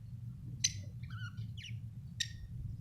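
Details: Budgerigar, an Australian bird, giving a few short bright chirps and a brief soft warble, spaced over about three seconds, over a steady low hum.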